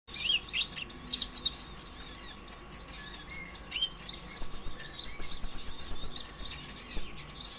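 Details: Sunbird, known locally as kolibri ninja (green type), in a nonstop 'konslet' song used as a lure to make other sunbirds sing: dense high twittering and sharp chirps, then a rapid run of thin high notes repeated quickly near the end.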